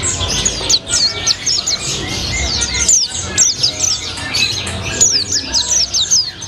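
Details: White-eye (pleci) singing "rasa colibri" with vigorous "gacor ngalas" delivery. Sharp, steeply falling high chirps come in quick bursts separated by short gaps roughly every second, with faint low background noise.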